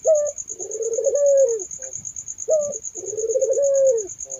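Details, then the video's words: Turtle dove giving two coos, each a clipped note followed by a drawn-out rolling coo that falls at the end, with a shrill insect trill throughout. "suara burung puter merdu syahdu"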